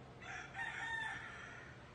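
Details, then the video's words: Roosters crowing during the solar eclipse of 8 April 2024, south of Houston; a faint, drawn-out harmonic crow rises and holds for about a second and a half over low background hum. "Eclipse 2024 Roosters Crowing"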